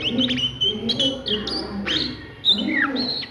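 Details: Oriental magpie-robin in ngriwik song at midday: short level whistles and an abrupt rising sweep, then a falling slurred phrase, against a low murmuring background.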